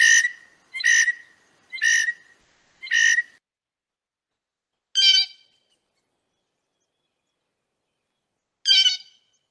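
A Blue Jay gives four nasal, ringing calls about a second apart, then two harsher, buzzier notes after a pause. No other sounds intrude.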